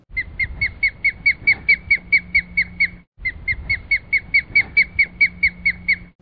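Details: An osprey, or fish hawk, calls: a rapid series of short, high, clear whistled chirps, about two a second, in two bursts with a brief pause between.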